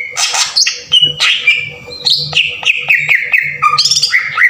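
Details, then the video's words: Green leafbird lure song meant to rouse untrained birds into singing, harsh bursting style: rich tumbling whistles, quick chirps and drawn-out falling notes in a dense run, with a low background hum. "PANCINGAN PENDONGKRAK EMOSI CUCAK IJO TEMBAKAN KASAR // CUCAK IJO BAHAN PUN JADI GACOR"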